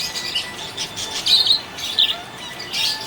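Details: Cheerful budgie chatter: loud, buzzy, high chirps in uneven clusters with a few short pauses, fairly clean against a quiet background.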